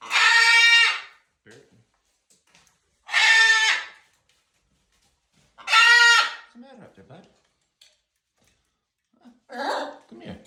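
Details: Excited macaws reacting to morning snow: three loud, grating squawks spaced about three seconds apart, each harsh and strained, then a softer fourth squawk near the end, with quiet voices and small noises in the gaps.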